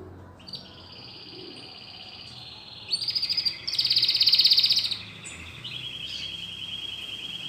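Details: Domestic canary newly brought into the home sings rolling trilled tours: soft sustained trills at first, then a louder, higher buzzy roll midway, and a steady lower trill to finish.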